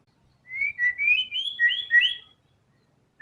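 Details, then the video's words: White-rumped shama in full song displaying its learned phrases: a single two-second run of clear, sliding whistles that rise and fall in quick succession, then silence. "MURAI BATU GACOR‼️FULL BONGKAR SEMUA MATERI ISIAN"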